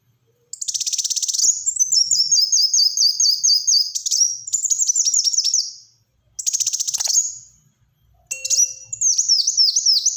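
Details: Black-throated sunbird in full, lively song, used to prompt and tutor other birds: very high, rapid buzzy trills and repeated sharp downslurred chirps in dense bursts, separated by short pauses.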